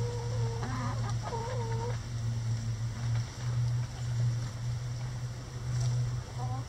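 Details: Chickens in a run going after a hung cabbage ball for enrichment; bent, harmonic squawk-like calls in the first two seconds, then mostly a low continuous hum with a faint call at the end.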